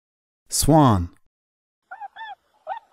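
A spoken word, then a chicken clucks three times: short, nasal, mid-pitched notes in quick succession.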